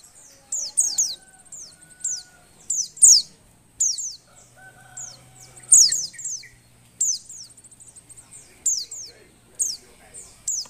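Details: Female Oriental white-eye in breeding condition, intended to stir lazy males to sing: repeated high, thin falling chirps in clusters, with faint lower tones and a low hum mid-recording.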